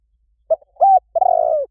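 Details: Spotted dove coo for luring birds, said to draw a fast response in any forest: a short soft note, a held hooting coo, then a longer rolling, slightly falling coo, all low and mellow in a quiet background.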